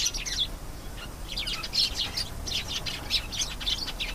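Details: Canary singing: a dense run of bright chirps, trills and short whistled notes in quick succession, high-pitched and continuous throughout, with faint low background hum.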